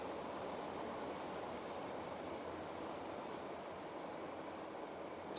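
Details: Feeding its nestlings near Moscow, a spotted flycatcher gives faint, thin, very high short notes, spaced irregularly with several close together toward the end. Low, constant rushing noise fills the background.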